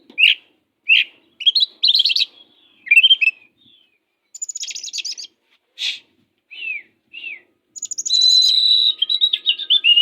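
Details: Oriental magpie-robin described as fierce, offered as a tutor for other magpie-robins lacking drive: separate short phrases of sweet whistles, upslurred notes and buzzy rasping bursts, ending in a long sustained high warbling run; quiet background.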